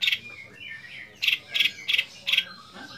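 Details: Young long-tailed shrike with mimicked song material: short, sharp chirp bursts that come about every third of a second, with thin sliding whistles between them.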